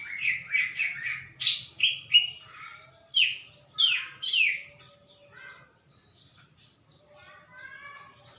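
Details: Greater green leafbird in full vigorous song, 21 December 2024: loud sweeping whistles and slurred descending chirps crowded together for five seconds, then trailing into softer, thinner warbled notes.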